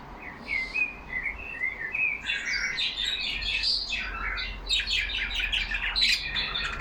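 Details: Pet budgies conversing in a cage with a wavering whistled warble at the start, then a dense, loud mix of rapid chirps, rasping notes and trills.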